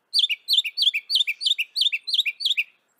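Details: Northern mockingbird from North America repeating one two-part downslurred chirp about eight times in quick steady succession.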